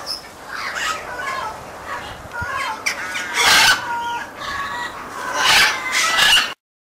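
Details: Free-flight trained Amazon parrots flying with crows, keeping vocal contact with other Amazons; a series of harsh, harmonic squawks and shrieks, several overlapping, at irregular intervals.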